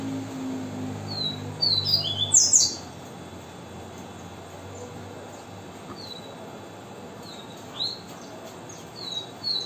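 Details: Coleiro, a double-collared seedeater, giving viviti-style song: a rapid cluster of bright, high, slurred whistles, then scattered thin notes after a quiet gap; a low hum sounds at the start.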